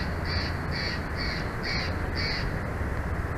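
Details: Bald eagle at the Big Bear Valley nest on 17 November 2023 in the afternoon: five high, clear piping notes evenly spaced about half a second apart, set against heavy low-pitched wind roar.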